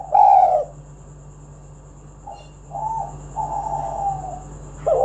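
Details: Spotted dove, lure recording: one loud, low, rounded coo opens, then a pause, then a soft, drawn-out, slightly wavering coo phrase, and a final loud coo at the close.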